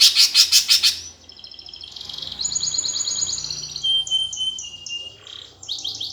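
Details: Greater green leafbird gereja tarung fighting song, played to provoke competition birds: loud harsh chirps, then a thin, high warbling trill with sharp whistled notes.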